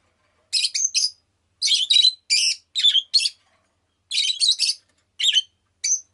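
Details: Rosy-faced lovebird kept as a pet gives a lively run of shrill, rasping chirps grouped in clusters of two to four, with short pauses between groups and a single sharp note at the end.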